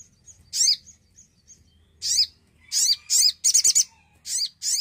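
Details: Lively Javan cochoa singing, meant to coax quiet birds into song: short high rasping chirps in separate bursts, with a rapid stuttered run of four notes near the end and a few soft thin whistles between.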